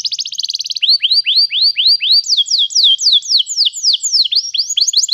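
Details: Canary singing, used to train a canary to sing: a brief fast rattling trill leads into steady rows of falling whistled sweeps, several per second, shifting to higher sharper slurs.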